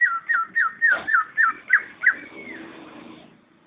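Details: Greater green leafbird singing in competition-quality style: a quick series of about eight clear, downward-slurred whistles, repeated roughly every third of a second, then a long fading whistled note.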